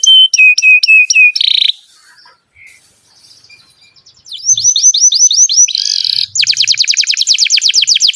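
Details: Canary singing long phrases meant to coax young or silent canaries into song: quick high downslurred notes, a brief buzz, a quiet gap, then looping whistles, a harsh rattle and a very rapid high trill.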